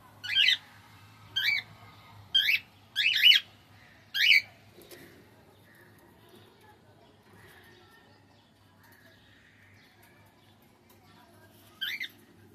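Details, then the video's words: Cockatiel repeating short bright chirps about once a second, each a quick rising-and-falling harmonic note, five in a run, then a long pause before one last chirp; quiet room with faint low hum. "Cockatiel Singing"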